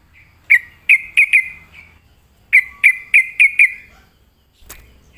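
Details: Sooty-headed bulbul, lured to sing, gives two runs of four or five sharp whistled notes, each run trailing into a short fading tail, followed by a faint click near the end.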